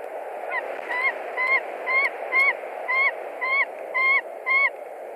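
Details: An intruder, probably a young eagle, visits a white-tailed eagle nest in Latvia in March 2021, and the resident screams. About nine evenly spaced, ringing yelps come roughly twice per second, partly veiled by loud steady rushing noise.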